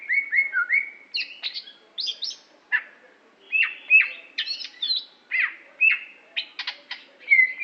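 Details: Song of an Aceh-type greater green leafbird from Indonesia, noted as a competition performer: loud whistled notes, downslurs and sharp clicks alternating with brief pauses, phrases changing constantly over several seconds, with no background noise.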